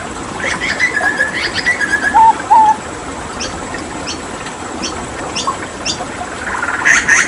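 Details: A Papuan hooded butcherbird sings in a tutor recording for songbirds: a run of mid-pitched whistles, then two short clear lower notes. Scattered clicks follow, and rising chatter comes at the end.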